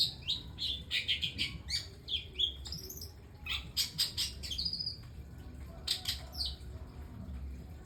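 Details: Unusual song material from a long-tailed shrike: quick jumbled chirps, squeaky whistles and a few harsh notes, loudest in the first half, then sparser bursts, over low background noise.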